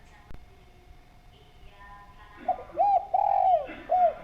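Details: After about two and a half seconds of quiet with faint hum, a spotted dove used as a lure delivers a quick cooing phrase: a short coo, a long rolling coo and a final falling coo.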